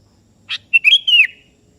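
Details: Calling to a rival, a sooty-headed bulbul of the kebo type sings one sharp click-like note then a rich three-part whistled phrase ending in a falling slur.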